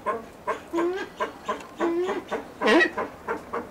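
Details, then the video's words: A captive Blue eared pheasant (Crossoptilon auritum) at a pheasant breeding centre gives a run of short, harsh, nasal clucks about twice a second, broken by a few longer honking notes. "СИНИЙ УШАСТЫЙ ФАЗАН, CROSSOPTILON AURITUM"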